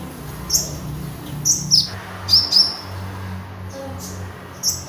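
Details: Magpie robin, recorded as a lure and master sound for training birds: a few sharp high whistled notes, some in close pairs, over a low steady hum.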